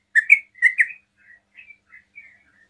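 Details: A sooty-headed bulbul, singing fast to make other bulbuls answer, gives four loud slurred whistles, then fainter short notes trailing off.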